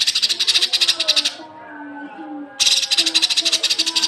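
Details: Masteran recording of cucak kinoi for training young birds: two dense, rasping rattles of quick pulses separated by a short pause, with soft low tones continuing underneath.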